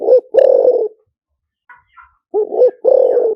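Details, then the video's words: Liu tan style spotted dove decoy song: two low phrases, each a clipped double hoot into a long, buzzy coo, with brief soft higher calls from another bird in the gap. "เสียงต่อนกเขาใหญ่หมานๆ, เสียงนกเขาใหญ่ ต่อเข้าเร็ว เสียงหลิ่วตัน"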